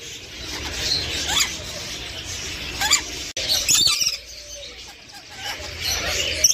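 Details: Rainbow lorikeet giving harsh, shrill screeches and squeaky chirps in short bursts over a steady hiss of background noise.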